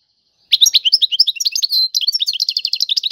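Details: European goldfinch singing a tiwawati-style song: after half a second of silence comes a fast, bright twitter of high chirps and trills, with one sustained buzzy note mid-phrase, then rapid repeated notes.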